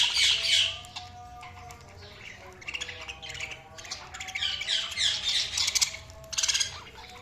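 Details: Budgies chirping: a steady stream of bright, high squawky chirps and warbles comes in quick bursts, with louder clusters near the start and through the second half.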